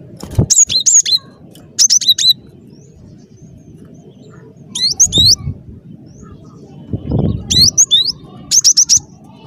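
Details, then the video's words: Cinereous tit singing actively as a trapping lure, with five spaced phrases of rapid, high, repeated notes sweeping downward, separated by gaps of faint low rumbling. "Suara Burung Glatik Batu Gacor"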